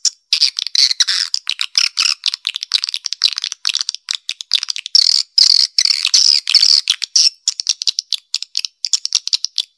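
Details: Swiftlet calls played to attract swiftlets to a nesting area: dense, rapid buzzy chirps and twittering mixed with sharp clicks, continuous throughout with brief gaps.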